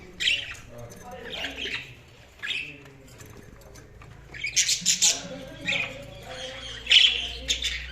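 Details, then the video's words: Several budgies give scattered high, raspy chirps and quick squawk clusters over soft continuous chatter, with a faint low hum underneath. "Budgies Sounds| Budgies Chirping sound"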